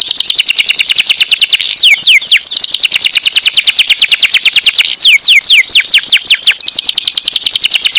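A canary sings loudly in fast, rolling trills of high, bright notes, broken by a few sweeping whistles.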